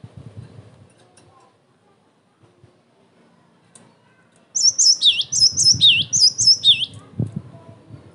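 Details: Cinereous tit used as a provocation and training recording: after four seconds of quiet low rumble, a short burst of high sharp notes each sliding down into a lower whistle, repeated about four times.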